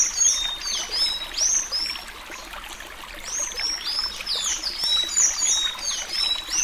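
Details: Suí Suí Alagoano style song of a Sayaca tanager for tutoring young birds: thin, high, squeaky slurred notes in quick bursts, fading briefly mid-phrase before resuming, over faint steady hiss.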